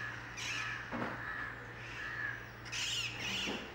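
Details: Indian ringneck parakeets in flight over central Mumbai, India: two bursts of rough, grating squawks, the second louder and more drawn out, against a constant low mechanical hum.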